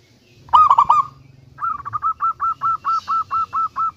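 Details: Local zebra dove with a big voice, used as a lure to set other doves calling: a few loud harmonic notes, then a steady run of about ten evenly spaced cooing notes over a low background hum.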